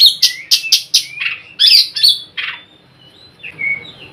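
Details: Harsh nyrecet calls of an Oriental magpie-robin calling to others of its kind: a fast run of scratchy rasping bursts, a few buzzy slurred notes, then soft thin whistles trailing off.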